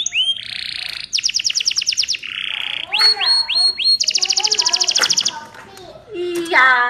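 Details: Energetic canary song used to encourage other canaries to sing: fast dense trills, a buzzy held note, a few rising whistles, a long rattling tour, then lower bubbling phrases at the end.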